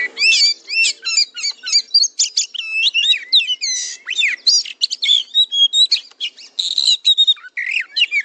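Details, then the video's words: Oriental magpie-robin singing as a trained fighter-style kacer: a long, unbroken torrent of high whistled slurs, rapid trills and scratchy notes, loud and energetic throughout. "MASTERAN KACER JADI FIGHTER"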